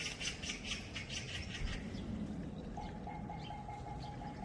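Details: Oriental magpie by the Gaeungsan trail, February 10, 2021, giving quick harsh rattling pulses at the start that fade out. A steady pure tone follows over constant low rushing background noise.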